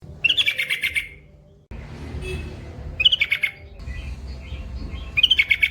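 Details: Yellow-vented bulbul (trucukan) in full, long rolling ropel song, used as a training recording: bright chattering phrases of quick bubbly notes, delivered in bursts separated by short pauses, over a low background rumble.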